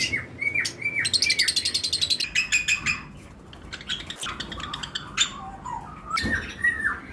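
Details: Breeding-season lovebird pairs in a flight cage with other birds: a quick run of evenly repeated, clear chirps, then mixed squeaky notes and short downslurred calls from several birds.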